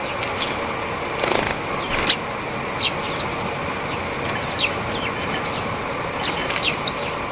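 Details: Japanese tits feeding as a flock on sunflower seeds, flying down one after another and pecking them open in nearby trees; short high thin calls scattered through, with close wingbeats and soft pecking. Not the loud spring song, but everyday contact calls.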